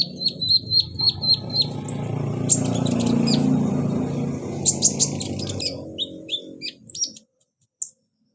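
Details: Kolibri ninja sunbird song intended to stimulate a non-singing caged bird: a row of short high descending chirps, then loud broadband noise with scattered sharp notes, ending in a few isolated high chips.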